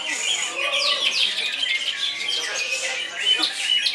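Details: Greater green leafbird in continuous koncer song: fast, jumbled high chirps and short whistled slurs poured out without pause, loud and busy throughout.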